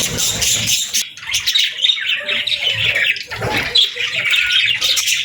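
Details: Budgerigar parents with their chicks, gentle feeding and bonding; dense chattering chirps and squawky notes overlap continuously, several birds calling together with a faint low rumble underneath.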